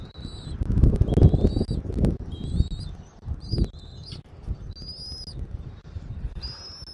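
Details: Eagle calling at its nest in Southwest Florida, afternoon of 13 January 2024. A run of high piping whistles comes in uneven bursts, some short and chittering, some drawn out, over low gusty wind noise.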